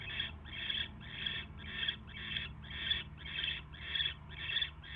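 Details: At a barn owl nest at 10:22 PM, January 22, 2016, with a mouse being brought in: about ten even, scratchy hissing bursts, close to two per second, over low humming noise.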